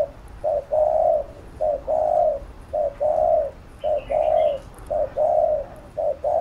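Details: Cooing spotted dove used to train a young captive dove, with a steady rhythm of short note plus long mellow coo repeated about once a second, and faint twittering of other birds behind.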